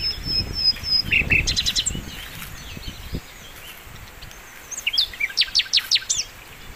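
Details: Flycatcher known as sikatan londo singing energetically for songbird training: a held high whistle, twittering high chirps over low rumbling noise, a short pause, then a run of sharp rising and falling notes.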